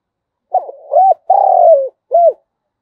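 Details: Loud, close decoy spotted dove giving its morning call to lure wild doves: a low phrase of a short coo, an arched coo, a long buzzy trembling coo and a clean rounded final note.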